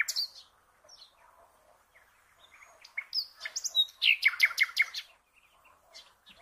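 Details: Common nightingale song for cage-bird training: soft scattered notes build into a loud run of rapid repeated strokes with ringing accents, then fade to quiet twitters.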